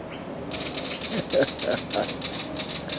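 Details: A Willie Wagtail in a backyard scolds, unhappy about a butcherbird nearby, with a fast, harsh, high chatter of rapid chit notes, about eight per second, while a man talks quietly.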